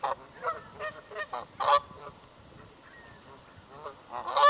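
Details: A Canada goose by a lake in Southern Ontario, Canada, recorded up close, gives a run of about five loud, nasal honks, pauses, then honks again before walking away limping on a sore leg.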